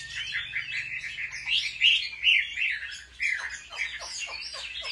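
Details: Competitive song of a home-trained Chinese hwamei, used to spur male birds: dense warbling whistles with squeaky accents, then a series of quick downward-dropping notes in rapid succession.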